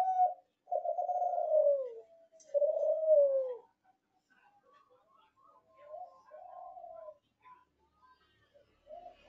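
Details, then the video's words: Young Spotted Dove (derkuku Kelantan), a ringed captive-bred bird whose song ending is still forceful, gives two long, mellow coos sliding downward, then softer, shorter hooting notes in a quiet setting. "CEK SOUND Derkuku Kelantan"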